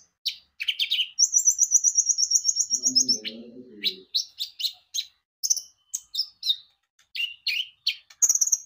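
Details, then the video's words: Olive-backed sunbird (konin) in full, vigorous song, used as a lure to prompt birds to sing: a fast trilled rattle near its start, then sharp high chirps and squeaky notes at a rapid pace, with a brief low murmur midway. "Pancingan Kicau burung konin gacor"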